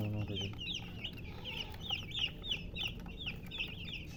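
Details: Baby chicks give rapid, high, downslurred peeps, roughly three per second, many birds overlapping; a short low cluck opens the recording.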